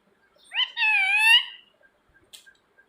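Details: A pet rose-ringed (ring-neck) parakeet gives a quick short note, then one drawn-out, wavering, rich-toned squawk lasting under a second, followed by faint clicks in a quiet room.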